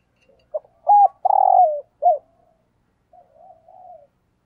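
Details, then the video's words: Spotted dove decoy giving the 'thúc gù' coo: quick low notes, a long hoarse hoot and a falling note, then a softer wavering trailing coo. "Tiếng Chim Cu Gáy Thúc Gù - Chim Cu Mồi"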